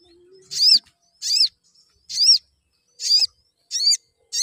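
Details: Calls from a crimson sunbird serve as a lure to get other sunbirds singing more. Six loud, high chirps, each curved in pitch, repeat about every 0.7 seconds.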